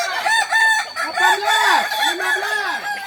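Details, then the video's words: Close Kokok Balenggek rooster crowing during group training in Solok, West Sumatra, a loud crow of arched, stepped syllables rising then dropping, with another rooster overlapping. "latihan bersama Ayam kukuak balenggek"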